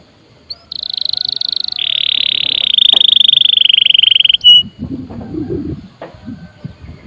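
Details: Canary in full song, meant to trigger other birds to sing: a short high note, then long rapid rattling trills shifting to a lower pitch for about four seconds, followed by low rustling and knocking noises.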